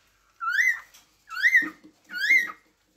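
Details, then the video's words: Cockatiel calling three times, about once per second. Each note is a ringing, slightly raspy whistle that swoops upward and then falls away. A faint low rustle sounds under the second call. "تغريد طائر الكوكتيل"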